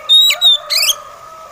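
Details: Oriental magpie robin, known locally as kacer, in slow song: two high, steady whistles, then a brief rougher, richer note, over a faint steady hum.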